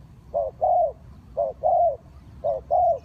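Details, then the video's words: Spotted dove calling, as used to lure wild birds for trapping: paired low cooing notes, a short coo then a longer one, repeated about once a second, over a low background rumble. "Cu gáy Ninh Thuận"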